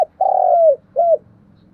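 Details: Brief spotted dove coo for stirring caged birds to call: one long, level hoarse note that drops at the end, followed by a short curved coo, over a faint low hum.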